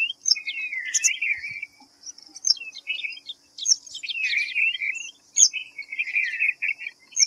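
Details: Bursts of high, twittering, slurred whistles from a white-browed fantail, each burst lasting one to two seconds with brief silences between, over a faint constant hiss.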